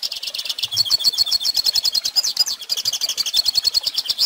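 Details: Hooded siskin song, used to teach young birds to sing: a fast, continuous twittering of high, buzzy notes and trills, rapid chattering pulses running without pause throughout.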